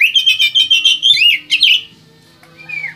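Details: West Kalimantan white-rumped shama delivering a fast series of loud buzzy pulsed notes and sweeping whistles, ending abruptly, followed by near silence and a soft faint upslurred whistle.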